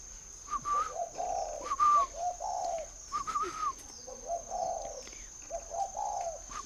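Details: At a dove farm in Ba Vì, Hanoi, Vietnam, a spotted dove calls: about five phrases of a brief whistle followed by a soft, hollow coo. Faint bird chirps sound in the background.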